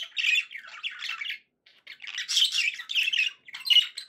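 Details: Happy budgerigar calls from pets indoors: harsh, buzzy squawking warbles in long phrases, a short gap, then louder rasping chatter ending in a sharp squeak.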